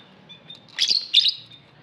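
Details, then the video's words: Lovebird kept in an aviary giving two quick, high, shrill chirps close together over faint background twittering. "Lovebird Singing Call & Chirping Sounds"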